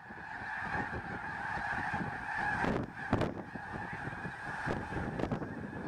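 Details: Thousands of Snow Geese gathered on a Fairfield, Montana farm on their way north in March; an unbroken wall of overlapping nasal honks from the flock, with occasional sharp crackles of wind on the microphone.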